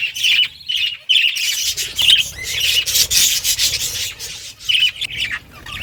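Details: Budgerigars in a caged breeding colony: bright, quick chirps repeating at roughly one-second intervals over a steady hiss of rasping, scratchy chatter from many birds.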